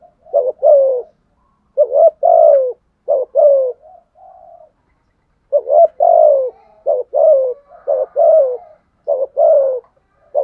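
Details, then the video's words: A decoy spotted dove calls to provoke wild doves, producing a steady series of husky, low coos, short clipped notes alternating with longer downward-sliding ones. There are about a dozen notes with brief gaps and a faint hum in one pause. "chim cu gáy kích bổi"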